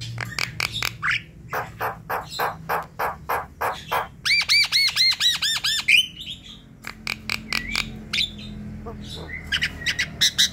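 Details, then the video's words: Javan myna in full lively song, used at night to prompt a silent bird to call; steady rapid harsh chatter bursts around a fast looping whistled trill in the middle, followed by more rasping notes and clicks. "Untuk pancingan malam hari jalak kebo malas bunyi"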